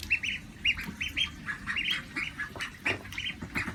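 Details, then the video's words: Female pet call ducks, apparently kept at a high school in Saitama, Japan, give loud, high, nasal quacks in quick overlapping bursts, several birds calling together in a rapid chattering chorus. "Quacking sounds of female ducks"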